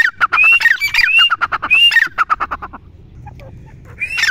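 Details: Grey francolin, locally teetar, giving excited overlapping rising whistles and rapid harsh clucks, fading to quiet before a final loud note.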